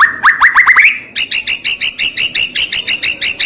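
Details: Captive white-rumped shama singing steadily, used as a lure to make another shama sing and become agitated: a quick run of rising upslurred whistles, then a steady string of about fourteen repeated two-part notes.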